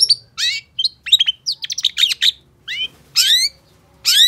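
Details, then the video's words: Long-tailed shrike in full energetic song: a rapid, varied jumble of sharp chips, clear whistled slurs and buzzy rasping notes, with short pauses and longer harsh downslurred phrases near the end, a faint low hum behind. "Pancingan Cendet Gacor Cocok Buat Masteran Cendet Macet Agar BUNYI"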